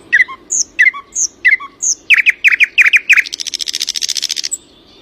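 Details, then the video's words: A bird sings at early morning: chirpy two-part notes, then a quick string of descending strokes running into a long, rapid, buzzy trill, ending abruptly. "Early morning: birdsong."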